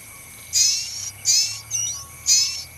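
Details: Pin-striped tit-babbler (Mixornis gularis) in nature giving three harsh, high, raspy bursts about a second apart, with a thin whistled note between, over a steady insect whine.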